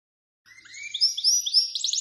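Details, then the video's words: Goldfinch × canary mule with plumage about 90% canary colour, singing a rising series of clear whistled slurs that build into fast trills, high-pitched and clean with no other sounds. "Goldfinch Mule 12h Singing"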